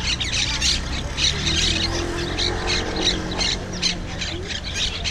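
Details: Invasive wild Monk Parakeets on Malagueta beach in Malaga, captured with a GoPro 5: rapid, overlapping raspy squawks, roughly three a second, over a low steady hum and soft tonal background sounds.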